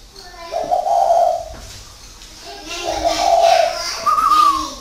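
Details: Caged spotted dove in northern Vietnam giving two low hollow coo phrases, with people talking softly in the background and a brief higher sound near the end.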